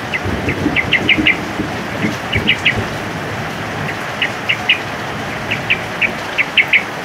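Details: Male yellow-vented bulbul singing actively in the rapid ropelan style during heavy rain: short, sharp chirps in quick clusters of two to four, with pauses between bursts, over a steady hiss of pouring rain.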